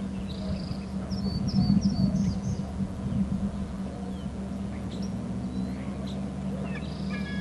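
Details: Female bald eagle at a nest on Hornby Island making soft calls as the male arrives with a fish: thin, high, down-slurred chirps in a quick run early on, more faint chirps near the end, over steady heavy wind and hum.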